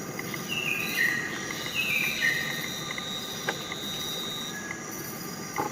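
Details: Magnificent Riflebird giving two clear whistles that slide downward, about a second apart, over a steady high insect drone and faint background rumble.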